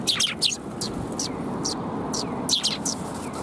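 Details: Eurasian tree sparrows, puffed up against the cold air, recorded 1 February 2021, trading sharp doubled chirps and single tweets at uneven intervals over a low background hum.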